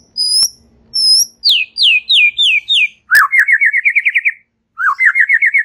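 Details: White-rumped shama in relaxed song: clear descending whistles high up, then a run of falling slurred notes, followed by long fast trills of wavy repeated notes lower down, with a click at the change.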